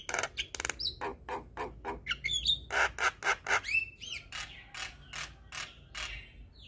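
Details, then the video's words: Black-winged starling song played to prompt stressed, reluctant starlings to sing: a fast run of harsh, buzzy broadband notes about twice a second, mixed with short whistled upslurs and a looping whistle near the end. "Jalak Kebo Stres MAlas Bunyi Langsung Nyaut Dengar Suara Burung Jalak Kebo Ini"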